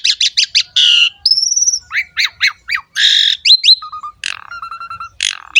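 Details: Asian pied starling gacor song, used to stimulate other birds: quick sharp chirps, buzzy rattles, a long high thin whistle, rising slurred notes and low repeated whistled tones.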